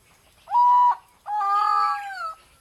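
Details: Captive Malayan peacock-pheasant during the mating season at a Chiang Mai breeding center, Thailand, giving a two-part call: a brief steady harmonic note, then after a gap a drawn-out, slightly wavering note about a second long.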